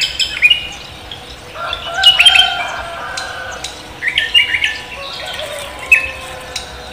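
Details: Javan green magpie calling lively at dawn in the 'koak kelapa' style: four groups of chirped and whistled notes spread across seven seconds, some with stepped pitch jumps, over faint background hiss.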